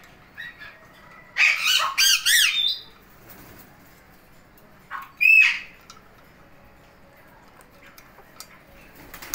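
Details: Indian ringneck parakeet, a male pet in happy mode, bursts into a quick run of four loud, wavering screeches, then falls quiet except for one more sharp squawk a few seconds later.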